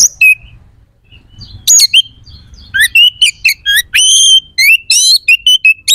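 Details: Oriental magpie-robin in full, vigorous song meant to rouse aggression and breeding drive in other magpie-robins: high clear whistles mixed with rapid harsh, buzzy bursts and sharp chirps in quick irregular phrases, with a brief pause early on.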